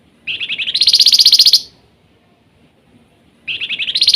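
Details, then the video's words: Flamboyan singing busily with nyiul trills: a pulsed phrase that rises and accelerates into a shrill buzzy trill, then silence, then the same rising trill begins again. "Flamboyan gacor rajin bunyi nyiul"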